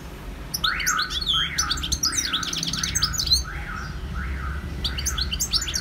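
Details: European goldfinch in full song, quick jangling high twitters interwoven with repeated lower nasal rising-falling notes about once a second, giving a lively, chattering rhythm.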